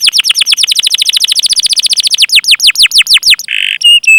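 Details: Canary singing to stimulate other canaries: very rapid repeated downward whistled sweeps that slow toward the end, followed by a short buzzy note and brief high whistles.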